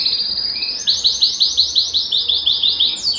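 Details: Belgian canary singing to warm a cold canary: a high rapid trill shifting into loud rolling rounded notes, about six per second, ending with a quick downward note.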